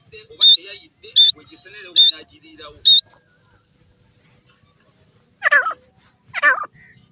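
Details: Francolin, called teetar, calling loudly: four sharp, high, ringing notes about three-quarters of a second apart, then after a two-second pause two lower, harsher notes that drop in pitch.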